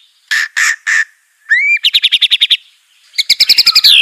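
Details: White-rumped shama of the Aceh type in a master song for training: three flat beeping notes, a rising whistle and a quick run of ringing chips, ending in a rapid rattling twitter.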